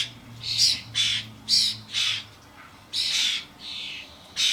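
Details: Common starlings (Sturnus vulgaris) visiting a garden suet feeder, adults accompanied by fledglings amid a busy flock: six loud, grating screeches, spaced unevenly, with a brief quiet gap midway, recorded on camcorder.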